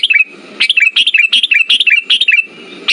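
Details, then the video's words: Sooty-headed bulbul song used as a lure to get silent birds singing: bubbly, fluttering whistled phrases in quick bursts, with a steady thin whine behind and a faint low rumble between phrases. "Pancingan burung kutilang macet"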